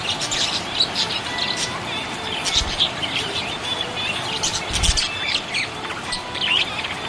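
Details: Happy budgie chirping: bursts of bright, scratchy high chirps and warbles come in irregular clusters over a steady background hiss, with two low thumps partway through.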